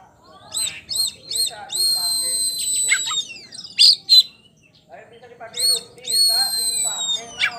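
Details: Oriental magpie-robin, a champion poci type, in ngeplong song: quick repeated high notes, then long steady whistles that slide downward at the end, followed by sharp chips and another drawn-out falling whistle.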